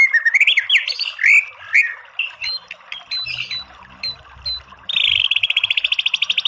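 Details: White-rumped shama song of varied warbled and slurred whistles with scattered clicks, then a sudden rapid machine-gun trill of evenly spaced buzzy notes.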